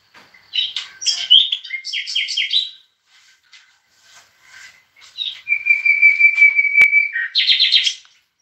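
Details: European goldfinch singing near bulbuls: quick clusters of sharp twittering notes, quieter ticks, then a long steady buzzing trill followed by a final rapid twitter; one sharp click midway.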